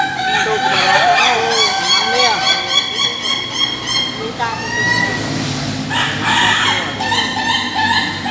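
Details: At a PAKEB Bogor latber in a farm pen, an Ayam Ketawa delivers a fast chattering series of short harmonic notes that sounds like laughter, overlapped by other crowing and calls in the second half.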